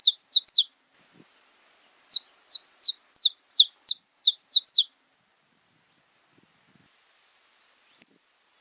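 Saffron finch song: a fast series of about fifteen sharp, high, descending chips over five seconds, then silence and one last chip.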